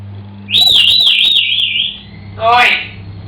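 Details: Pet African grey parrot singing, a sustained, wavering whistled melody lasting about one and a half seconds, then a short, rising whistle with buzzy overtones; low indoor hum underneath.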